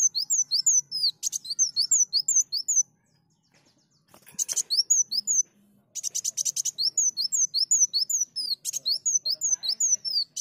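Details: Sunbird (kolibri daun) lure song, high-pitched rapid series of short slurred chirps repeated about two to three per second, broken by brief buzzy rattling bursts and two short pauses; faint low hum beneath.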